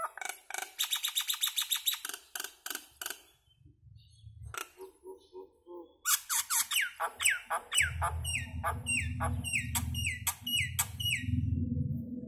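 A common myna runs through a rapid string of harsh clicks, about four a second, then gurgles and bright falling whistles, over a low background hum.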